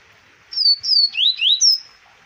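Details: Double-collared seedeater singing in 2020 at Arapiraca, Alagoas, Brazil: a quick phrase of five clear whistled notes, high slurred downstrokes, then two lower rising sweeps and a final high note, over a quiet background.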